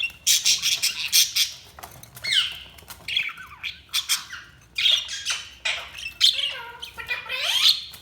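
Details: Budgerigars chirping in a dense, nonstop stream of bright, harsh squawks, warbled twitters and short rising and falling whistled notes.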